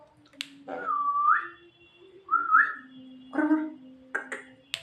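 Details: Tame Javan myna giving two clear whistled phrases that hold level then swoop upward, followed by a harsh nasal syllable and a few sharp clicks, with a steady low hum in the room.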